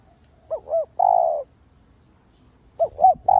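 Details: Spotted dove giving a lure coo to stimulate other doves, two phrases, each with a pair of short arched notes followed by a longer flat coo, in a quiet setting.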